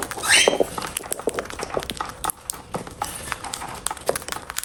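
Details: Cockatiel at its food gives one short, grating, upward-sweeping call at the start, followed by a run of quick clicking and tapping eating sounds.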